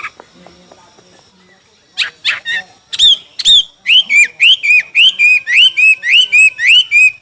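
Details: Chinese hwamei in a singing contest: after soft rustling, loud clear whistled notes rising and falling, repeated about twice a second in a steady run, with brief harsher notes at the start.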